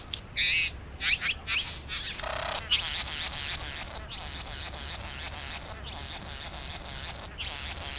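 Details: Back-yard bowerbirds at their nest give a quick cluster of scratchy, chattering rasps and one long hiss, then a softer continuous buzzy, crackling churr fills the rest.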